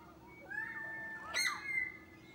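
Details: A kookaburra at a deck early in the morning gives harsh, rising, drawn-out squawking notes, broken by a sharp knock halfway through.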